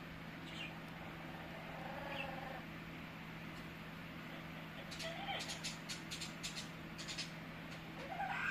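An Amazon parrot gives soft, drawn-out, meow-like tones with rising squeaks, then a run of sharp clicks and ticks over a steady electrical hum.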